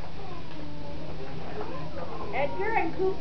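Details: Edgar, a captive glove-trained common raven, has started mimicking speech again now that he is housed alone; he gives a short, rasping, voice-like 'hello' in a few harmonic syllables near the end, over a low indoor hum and a person's voice.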